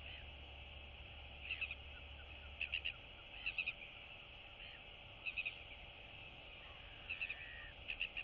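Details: Neighbouring royal albatross chicks greeting each other in the colony; brief rapid triple-note chatters repeated about every second, over constant hum.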